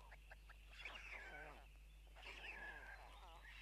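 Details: At a white stork nest in Tukums, Latvia, June 12, 2022, 04:54, parents arrive and drop food for the young; two bursts of wavy, nasal mewing calls with sweeping downward slurs, over a constant low electrical hum.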